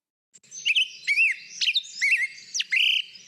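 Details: Black-headed Grosbeak song near Boise, Idaho: a quick run of clean, rich whistles rising and falling in short slurred phrases, higher and faster than a robin's. No other sounds.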